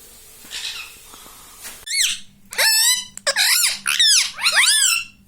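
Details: Pet rose-ringed parakeet indoors saying "mummy": after a soft murmur, a run of loud harmonic squeaky syllables with arching, warbling pitch, repeated in quick bursts over a steady low hum.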